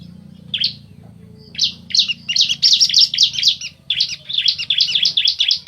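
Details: Bar-winged prinia pair, male and female, answering each other in fast, dense runs of sharp, high, chirping notes that nearly overlap, following a lone opening chirp.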